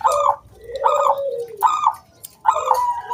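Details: Singing zebra dove of local wild origin, used to prompt other doves to sing: four rough, buzzy rattled bursts, the second trailing into a long low sliding coo.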